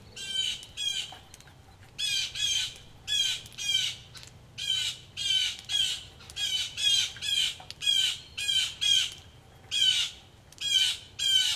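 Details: Several mad blue jays screaming during rain beside a Missouri farmhouse porch, a dense series of loud, rasping, nasal jay notes in pairs and runs, barely pausing, over soft rain and gutter drips.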